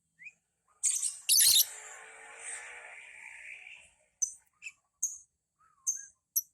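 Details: Ngekek lovebird for beginners: a loud grating burst drawn out into a long droning hiss lasting over two seconds, followed by several short, sharp, separate chirps and a couple of little squeaks.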